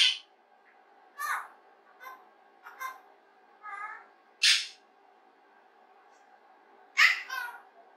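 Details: Indoor pet rose-ringed parakeet talking to itself while playing alone, captured unnoticed: scattered scratchy, speech-like chatter notes of varying length, some buzzy and warbled, separated by pauses, with faint room hum.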